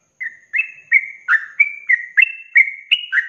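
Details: Sooty-headed bulbul (trucuk) giving its rapid 'ropelan' song for cage-bird training: clean whistled notes, each a short flat tone or a downward slur, repeated evenly about every third of a second with a clean, quiet background.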